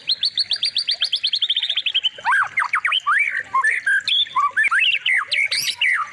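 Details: White-rumped shama song played as a training recording for other birds: a fast, even series of rising whistled notes, then varied swooping, chattering phrases.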